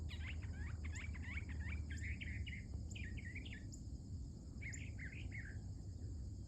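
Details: Mockingbird, female, heard early in the morning singing a rapid jumble of chattering phrases, repeated in short bursts with brief pauses, varied and scratchy, over steady low background noise.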